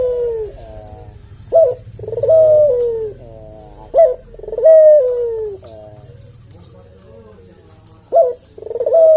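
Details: Lure call of a collared dove to provoke an answer: a series of short sharp rising notes, each followed by a long, gently falling coo, repeated about every two seconds with a steady low hum beneath.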